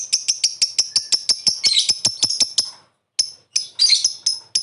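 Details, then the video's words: Lovebird calls used as a lure to make other birds reply: a rapid series of sharp, rasping high chirps, a pause of about a third of a second, then more scattered screechy notes. "Pancingan suara burung Lovebird memanggil di lanjut ngekek ampuh bikin nyaut"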